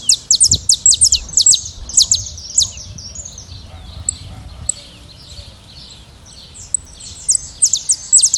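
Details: Free-living Saffron finches in a flock start with a busy run of sharp high chirps, fade to scattered faint notes through the middle, then return to loud clustered chirping.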